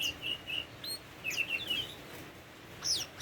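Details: Short, spaced whistled notes and a few sliding phrases from a tame Oriental magpie-robin, soft and quiet with pauses between notes.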